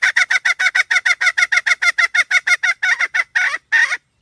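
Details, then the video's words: Hen repeating short, raspy clucks at a steady quick pace, then two longer, drawn-out squawks close the series. "suab poj qaib seev dib tuaj zoo heev"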